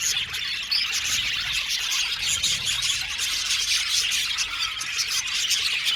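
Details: Aviary flock of blue male budgerigars chirping constantly, a thick layer of rapid high twittering from many birds at once, broken by short sharp squeaks.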